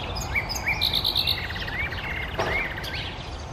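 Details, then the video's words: Common nightingale singing in summer: short upslurred whistles, then a rapid run of five sharp repeated notes and varied chirps, over a steady low background hum. "Nightingale singing / Nachtigall singt"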